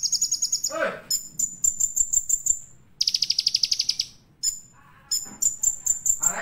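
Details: Olive-backed sunbird master song used to provoke other sunbirds, very high, thin, rapid trills and strings of sharp repeated notes, with a few lower sliding chirps between bursts.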